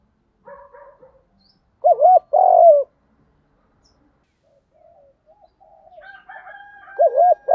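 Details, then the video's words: Fighting-style coo of a spotted dove, played to draw in other doves; faint coos, a loud double-note hooting phrase, a quieter gap with soft chirps, then another strong wavering coo pair. "Tiếng chim cu gáy GÙ Đấu cực chuẩn để kích bổi mới"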